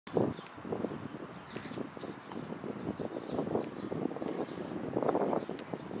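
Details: A mute swan in Tivoli landscape park, Ljubljana, on 2 April 2024 gives a few hoarse, snorting grunts, low and breathy, spaced irregularly over a steady outdoor background hum.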